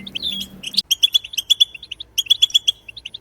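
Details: Goldfinch batbata khalawiya song played to get goldfinches singing: crisp, evenly spaced bright chips repeated in quick runs of four to six, separated by short pauses, after an opening burst of twitter.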